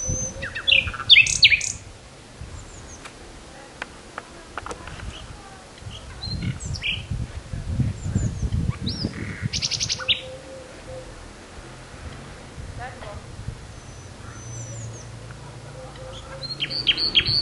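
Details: Spring birdsong in Pigeon Valley, Cappadocia, Turkey, in April 2013, from a small bird that is not a pigeon: bright, high chirps and short twittering phrases over low rumbling background noise.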